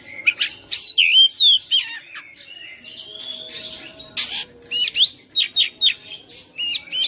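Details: White-rumped shama kept at home, a persistent fighter, pouring out a rich varied song of clear slurred whistles, sharp high chips and harsh bursts, rapid and changeable, a faint low hum underneath.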